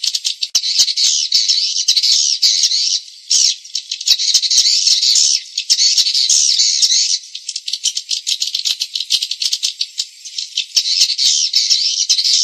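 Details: Swiftlet lure call used to attract swiftlets to nest houses: dense, buzzy, high-pitched twittering bursts run almost without pause, breaking into brief gaps every few seconds.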